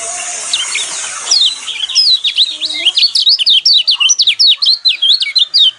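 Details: Song of the yellow white-eye, or pleci kecial kuning, meant to stir caged birds to sing: a hissy start, then a quick, steady series of sharp, high, down-slurred chirps.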